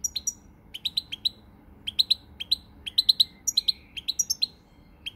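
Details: European goldfinch on 20 March 2020 giving a brisk, cheerful twittering song, quick doubled chirps about twice a second mixed with thin high trills and a soft buzzy note.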